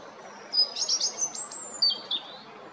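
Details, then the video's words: European robin singing at Jarun, Zagreb, Croatia, on 13 April 2022: a short, very high phrase of thin sliding whistles and quick trilled notes lasting about two seconds. "Crvendać (Erithacus rubecula) (Birds of Croatia - Robin)"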